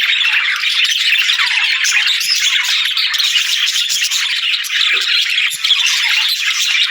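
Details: A continuous budgerigar warble of tightly packed chirps, squeaks and buzzy twitters, high and busy throughout with no pauses.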